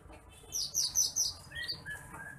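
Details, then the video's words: Bush lark (branjangan apung, titimplik) song, used as a tutor recording for training other birds: a quick burst of thin, high chirps followed by short descending whistled notes over faint low background hum. "MASTERAN BURUNG BRANJANGAN APUNG (TITIMPLIK)"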